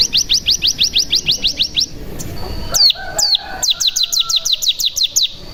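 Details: Bar-winged prinia 'bren' lure to set other birds singing: a fast train of rising high notes, a pause with a few louder sweeping calls, then the rapid train resumes.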